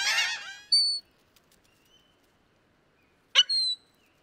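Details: Laughing gull call: a harsh, harmonic-rich burst at the start, then brief thin whistled notes and a second sharp, clipped cry near the end, with silence between.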